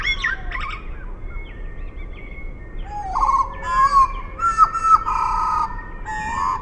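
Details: Slowed to half speed, a Eurasian blackbird opens with scratchy chatter, then pours out loud, mellow warbled phrases capped by fast high twittering, against faint sustained background notes.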